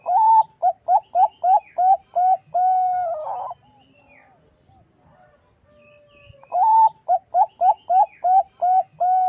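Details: Female Bangkok zebra dove calling to a male, used as a lure: rapid, evenly spaced short coos, a longer sustained note, a near-silent pause, then the quick cooing series starts again and runs to the end.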